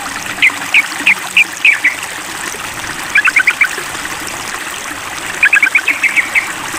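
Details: Sooty-headed bulbul calling a rival: three short bursts of quick, bubbly, chirping notes, five or six in each, separated by pauses of about two seconds, over a steady background of running water.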